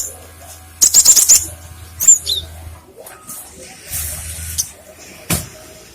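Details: Cinereous tit, song used as a lure and for training other birds; a rapid run of about five thin, high whistled notes, then a single sliding note, with clatter and a low hum.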